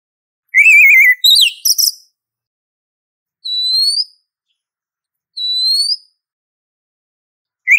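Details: Female Oriental magpie-robin calling to a male: a rapid wavering whistled trill and a burst of sharp twittered notes, then two clear rising upslurred whistles spaced about two seconds apart, with another trill starting at the end.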